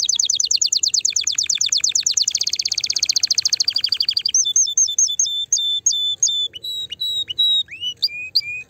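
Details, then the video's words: Canary song played to stimulate a female and encourage mating: a fast buzzy trill of rapid repeated notes, then a denser rolling trill, followed by clear whistled notes repeated about twice a second and short downward-sweeping phrases. "Chant de CANARI pour STIMULER la FEMELLE"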